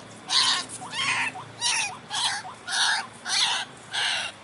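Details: Lure call of the white-breasted waterhen (ruak-ruak) for trapping: loud harsh bursts with rising inner notes, repeated about every 0.6 seconds in a regular rhythm, each burst rough and broadband.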